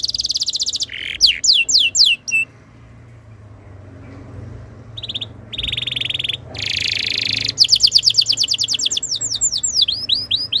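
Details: Canary singing a tutor song to set other canaries singing: short bursts of trills and swept notes broken by silent gaps, then a long fast run of repeated downslurred whistles.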